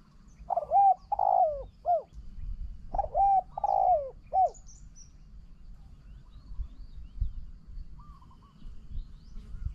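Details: Spotted dove cooing as a decoy bird faces a wild bird that coos very well. Two quick three-note phrases of mellow coos, the middle note longest and falling. A faint distant coo follows over a low rumble.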